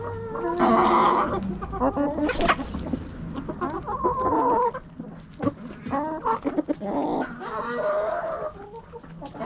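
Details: Hens in a backyard flock cluck and squawk, several birds overlapping in bursts of harmonic, nasal notes separated by brief quieter gaps.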